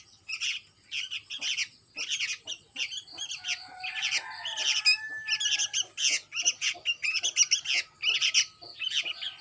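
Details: Chick of sooty-headed bulbul giving repeated grating high chirps in steady bursts, with a lower whistled tone running underneath partway through.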